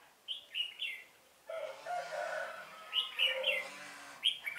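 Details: Red-whiskered bulbul singing as a trapping lure, 1 November 2017. Quick chirpy warbled phrases open the recording and return twice later, over a softer, lower murmur of background sound.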